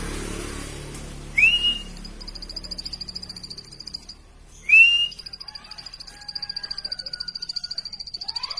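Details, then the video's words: Plain prinia: a repeated train of quick, high buzzy notes follows two loud, sharp rising whistles. Faint lower whistles and background rumble sit at the start. "plain prinia bird chirping"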